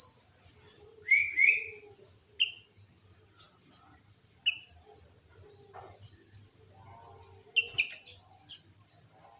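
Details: Sooty-headed bulbul singing loudly in a lure recording meant to provoke other bulbuls, for trapping and tutoring. Short clear whistled phrases, some slurred upward, come every one to two seconds over a low steady hum.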